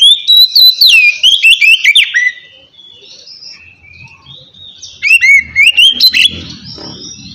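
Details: Oriental magpie-robin in relaxed ngeplong song, used to goad lazy birds into singing: a fast two-second run of clear whistles and chattering high notes, a quieter pause, then another rapid varied phrase over a faint low rumble.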